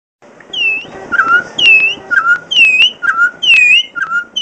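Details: Troupial singing loud whistled phrases: a clear downslurred note near the upper range followed by a lower short whistle, the pair repeated roughly every second over a faint background hiss.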